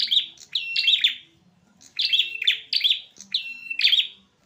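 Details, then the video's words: Male prinias clash without mercy, giving loud, scratchy chirp runs. Each rapid string of sharp notes is broken by short gaps, and one longer pause falls mid-way. "amprenjak jantan tarung tanpa ampun"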